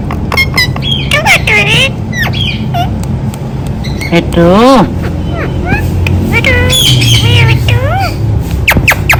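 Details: Talking rose-ringed parakeet repeating "Mitthu Mitthu"; scattered clicks and sharp squawks, then warbling speech-like phrases of bending tonal notes, one loud wavering run midway and further rising-falling syllables later, over steady low noise.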